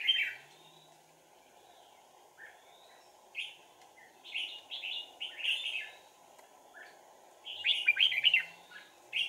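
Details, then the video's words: Red-whiskered bulbul decoy used for trapping, recorded 4 April 2019: bright, rich warbled phrases of short rising and falling notes in bursts, with a busier chattering run near the end over a steady low background hum. "Bẫy chào mào Sàng cầu - đánh đuôi"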